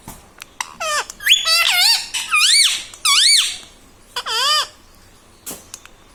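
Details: Talking ringneck parrot at home saying mummy, papa and radhe radhe; quick series of high, nasal, bending syllables in short phrases with brief gaps, a couple of sharp clicks around them.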